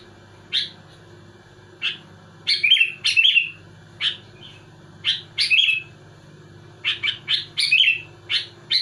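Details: Energetic sooty-headed bulbul (kutilang) challenging rivals with tight song bursts: crisp bright chirps, several rolling into brief warbled flourishes, repeated irregularly every second or so, with a low continuous hum in the background.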